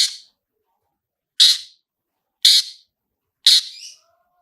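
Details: Long-tailed shrike, played as a lure to trigger singing: four loud harsh, buzzy notes spaced about one second apart, the last trailing into a brief softer tail.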